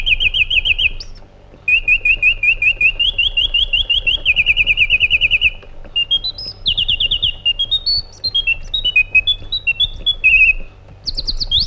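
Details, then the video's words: Continuous white-eared bulbul singing: several rapid runs of repeated whistles at slightly different pitches, then a wandering series of clear notes rising and dropping, closing with high downslurs. "Magnificent Harmony by an Iraqi Bulbul"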